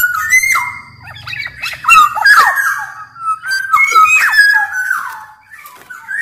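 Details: Black-naped oriole from Sumbawa, a large-bodied form, singing as a master song to lure and train caged birds; loud fluid whistled phrases with harsh squawky notes mixed in, rising and falling slurs repeated rapidly over the whole stretch.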